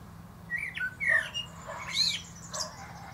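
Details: Male common blackbird on top of a plum tree, singing a brief phrase: a few clear, downslurred flute-like notes and then a burst of harsher, high, scratchy twitter. A faint hum sits underneath.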